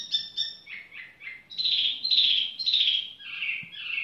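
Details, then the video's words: Tiểu mi bird singing casually: paired clear high notes, falling whistles, then loud rich warbled phrases that drop slowly in pitch. "chim tiểu mi chơi lai rai"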